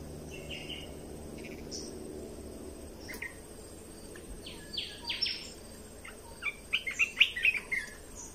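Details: Red-whiskered bulbul song played to train young birds and stir caged birds: quiet scattered notes at first, then a lively run of rapid, bright warbled chirps toward the end.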